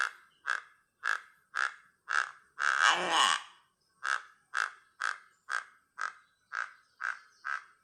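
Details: Horned guan alarm call, Guatemala: harsh, rasping notes repeated about twice a second, broken midway by a longer, louder grating burst. No other sounds.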